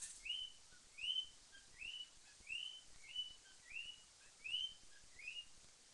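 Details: A cockatiel, used as a morning alarm, sings a string of bright rising whistles, repeated slightly faster than once a second; the sound is very light.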